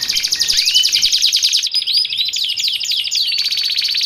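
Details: Canary song used for training caged canaries and luring wild ones: a loud continuous rapid trill of high buzzy notes with repeated upward-sweeping whistled phrases, rolling on without pause.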